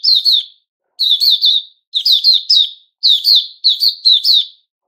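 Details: Recorded 10 July 2021, a male sooty-headed bulbul sings brisk repeated phrases of rippling high chirps, roughly one phrase per second, in a quiet setting.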